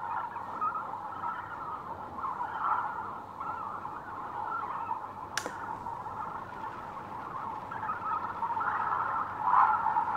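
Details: A dense flock of adult breeding male Lesser Flamingos assembling for a courtship dance gives a steady, nasal murmur of overlapping honking calls, with one sharp click partway through.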